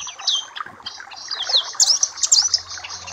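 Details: Papua black-capped white-eye tutoring song: a brief burst of high, sweet slurred whistles and sharp chips, growing louder toward the end.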